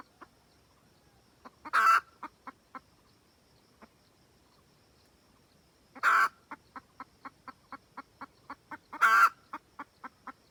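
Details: Red junglefowl hen cackling to call the rooster: sparse clucks build into three loud raspy squawks spaced several seconds apart, each trailed by rapid rhythmic clucking at about four per second.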